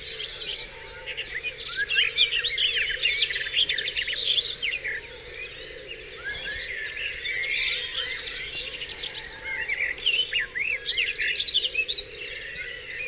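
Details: Many birds singing together at dawn on Dewlands Common, a dense continuous mix of rapid chirps, trills and short whistled notes from several overlapping singers, busy throughout with no pauses, over a low steady hum.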